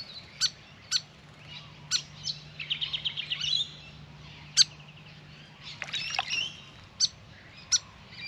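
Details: Grey fantail at a backyard birdbath, restless around a long bath: sharp, dry chip notes spaced irregularly, with a brief run of thin, squeaky high twittering in the middle and again near the end.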